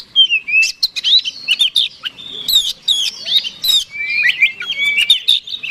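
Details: Oriental magpie-robin song used to provoke a rival into fighting: dense, varied high whistles, sweeping slurs and sharp chips, loud and continuous with short breaks.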